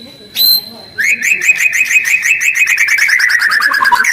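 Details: White-rumped shama giving a rough, fast lure call meant to provoke other birds into answering: one sharp high note, then a rapid rattle of about thirty-five short chipping notes, the pitch sinking slightly toward the end.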